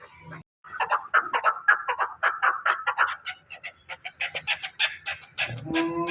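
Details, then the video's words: Chukar partridge giving a long rhythmic series of clucking notes, roughly two per second, steady and mid-pitched, ending with a sharper harsher note and a brief tonal sound. "chakor ki awaz"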